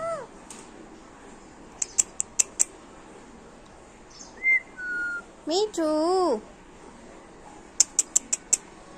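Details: Female Alexandrine parakeet, a talking pet parrot mimicking human speech: a voice-like phrase at the start, sharp clicks, a short falling whistle, then a wavering, voice-like syllable with rich overtones, followed by more rapid clicks.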